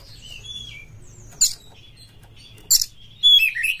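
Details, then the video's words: Oriental magpie-robin lure song for kacer birds in mating mood; soft thin whistles and a faint held tone, broken by two harsh buzzy bursts and a closing loud whistled phrase. "SETINGAN KACER SAMPAI GACOR jebol birahi PAKE SUARA PANCINGAN BURUNG KACER INI pasti MENYAMBAR full"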